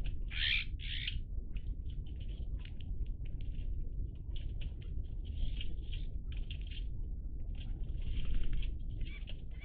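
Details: Several Iberian magpies, recorded 03-10-20, chatter with one loud buzzy call at the start, followed by scattered short, scratchy notes from the group over a steady low background rumble.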